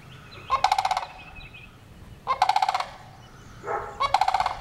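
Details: Sandhill crane giving loud, rolling rattles: three bursts of about seven rapid pulses each, roughly two seconds apart, with a faint higher whistled tone between bursts and low background rumble.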